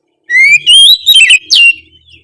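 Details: Vigorous oriental magpie-robin song meant to prompt reluctant magpie-robins to sing: a loud, clear whistle rising steadily, followed by a quick tumbling run of bright slurred notes and a final sharp descending whistle.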